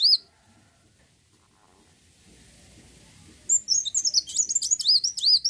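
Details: Kolibri wulung, the olive-backed sunbird, in lure song for encouraging other birds to sing; a brief high note opens, a long hush follows, then a quick stream of sharp, looping high whistles fills the final two seconds.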